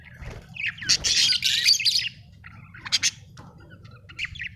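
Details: Budgie chirping in bright, high bursts: a loud scratchy chatter of about one second, then short sharp chirps near three seconds and a faint final chirp, over a steady low hum.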